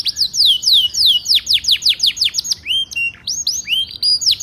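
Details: Canary song played to prompt a silent canary to sing: loud, rapid series of downward-sweeping whistled notes, several per second, followed by varied short upslurred and clipped phrases.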